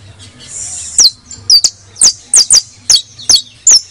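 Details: A criollo canary sings bright, high chirps and sharp downslurred notes, about two each second, after a brief rapid trill, over a faint low hum. The audio is meant to excite other canaries.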